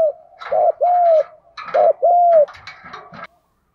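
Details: Two cooing phrases of a spotted dove in the 'giọng đồng pha thúc gù' style, a clipped coo leading into a long arched coo, overlaid by bursts of broadband clattering noise.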